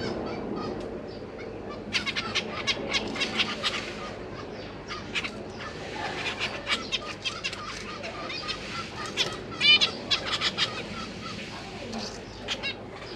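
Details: Caged zebra finches, two parents with three juvenile and three newly fledged babies, parents busy feeding the young; bursts of short high chirps and tweets from several birds, with fluttering between, over a low steady background hum.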